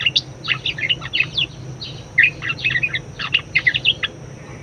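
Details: Budgerigar song for training other birds: quick clusters of bright, chirpy twitters, a short lull around two seconds, then further rattling chatter over a low electrical hum.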